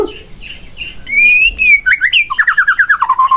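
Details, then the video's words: White-rumped shama song meant to rouse a silent shama into singing: a long smooth whistled note, then a quick rising flourish, followed by a fast series of short repeated downward-slurred notes. "Pancingan Murai Batu Agar Bunyi Langsung Emosi Bongkar Isian"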